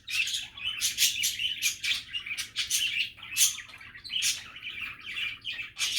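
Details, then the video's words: Happy budgie chatter: a lively run of scratchy warbles, quick chirps and crisp clicks, loud and continuous throughout the short stretch. "Happy and relaxing budgie chatter"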